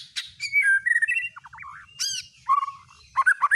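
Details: White-rumped shama singing a provoking lure song used to make other shamas show off their repertoire: fast tumbling sequence of whistled slurs, wavering trills and bright upward sweeps, nearly continuous.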